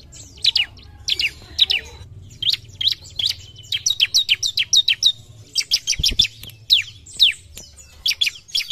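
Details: Bar-winged prinia (ciblek) singing aggressively toward an opponent: strings of piercing high chirps and falling slurred notes, some faint thin whistles between phrases, and a single low knock midway.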